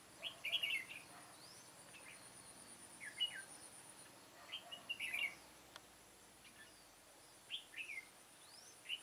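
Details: Red-whiskered bulbul, an old decoy bird used to lure wild birds into a trap on 9 September 2017, giving short bright warbled phrases in clusters at irregular intervals, fairly distant and faint, with a steady high hiss behind.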